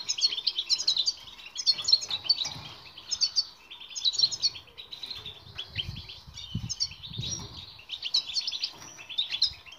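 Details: European goldfinch singing, used to train silent birds: repeated short twittering phrases roughly every second and a half, high liquid chirps, with some low rumbling noises in the background.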